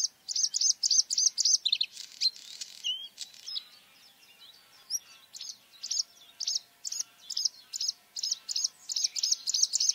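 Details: Bluethroat song: fast runs of bright, high ringing notes repeated in quick series, broken by a varied stretch of twitters, sharp chips and thin slurred whistles, then more rapid repeated-note series.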